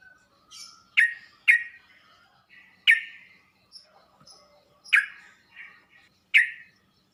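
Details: Sooty-headed bulbul tutoring audio, aimed at drawing an instant reply from other bulbuls: six loud, clipped, falling notes in loose pairs, with short soft chattering phrases between them.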